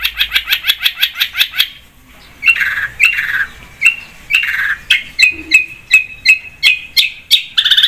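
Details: Long-tailed shrike in vigorous full song, used as a lure recording: a fast run of about a dozen sharp repeated clicky notes, then harsh downslurred scratchy notes alternating with short bright chips.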